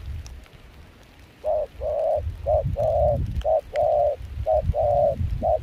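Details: Wild-caught spotted dove with a mixed foreign-style voice, singing in cold rain and wind while used for dove decoying in Kon Tum. After a quiet start, paired short and long hollow coos repeat roughly once a second over low wind rumble.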